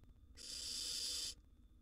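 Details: One sustained, even hissing screech lasting about a second from a young wild barn owl competing with its sibling for food in a nest box; quiet background otherwise.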